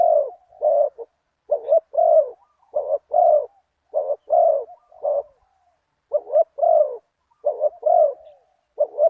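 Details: Decoy spotted dove (nok khao yai) calling toward a target bird in the 'big voice, one kuk' style. It coos steadily in short double notes, each followed by a drawn-out mellow coo, about fifty phrases a minute, with no other sounds.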